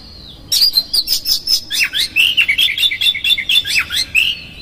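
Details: Oriental magpie-robin 'konslet' song with rough fill-ins, meant to make another bird agitated and open its tail: a soft dropping whistle, then a continuous fast stream of sharp chirps, squeaks and warbled notes lasting about four seconds.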